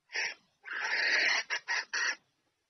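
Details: Female red junglefowl's call to draw the male in for mating: a short rasp, a long drawn hoarse note, then three quick scratchy notes.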